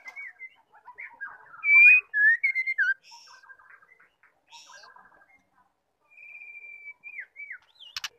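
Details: White-rumped shama female call used to provoke males into song: low murmuring chatter, a burst of loud slurred whistles, more soft chatter, then a long level whistle and two falling whistles ending in a click.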